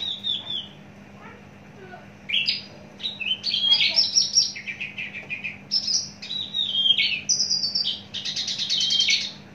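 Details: Long-kept adult Javan bush lark in a cage pouring out a varied, fast song of buzzy chirps, falling whistles and mimic-like notes, building to a dense rattling burst at the end; a low hum persists.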